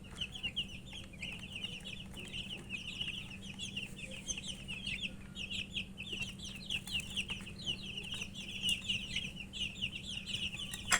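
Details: Flock of chicken chicks chirping as they feed, a long, steady chorus of high quick peeps, with sharp tapping sounds of pecking scattered throughout and a constant low hum.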